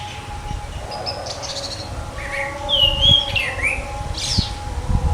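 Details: Orange-headed thrush singing a run of varied clear whistles, slurred and falling, loudest near the middle, with a faint steady hum and low background rumble throughout.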